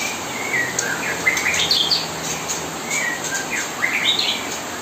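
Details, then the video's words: A spotted magpie-robin, played nonstop day and night as a song tutor while fledglings are hand-fed, sings a busy run of short chirps and quick rising and falling whistles, high and sweet, barely pausing, over soft hiss. "kapas tembak gacor nonstop"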